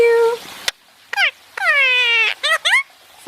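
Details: {'caption': 'Indian ringneck parakeet, basking, utters a steady nasal tone, a click, then a long drawn, downward-sliding voice-like syllable and two quick chirpy syllables.'}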